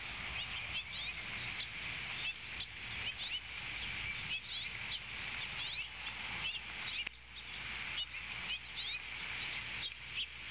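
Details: A female osprey at a nest about 80 ft up beside a Georgia coastal salt marsh calls loudly before the male delivers a fish on 14 February 2020: a steady series of high, whistled chirps, several a second, over constant hiss.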